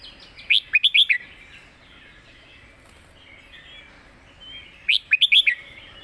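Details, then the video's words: Clearly phrased master-pattern song of a competition red-whiskered bulbul, two groups of five lively whistled notes separated by a pause of about four seconds, with light background noise. "เสียงดี''สำนวนชัด เพลงแม่บท/นกแข่ง#เสียงนกกรงหัวจุก"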